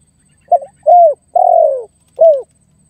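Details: Spotted dove luring and pressing a rival: a brief broken opening note, a falling coo, a long buzzy drawn-out coo and a final short falling coo, clean and close with no background sound.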